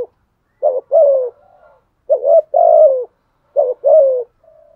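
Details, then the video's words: A decoy spotted dove, cooing to provoke rival doves, repeats a two-part phrase three times, a quick wavering note then a longer falling coo, with a faint soft hum between phrases. "chim cu mồi thúc gù bài bản nhất hiện nay, chim cu gáy kích bổi hiệu quả nhất hiện nay"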